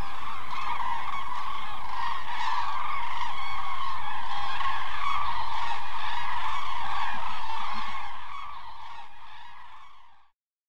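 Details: Large flock of common cranes in an almond orchard in the Hula Valley in November, a migration stopover where they glean fallen almonds, bugling nonstop in a dense chorus of overlapping rolling trumpet calls that fades out, over low rumble.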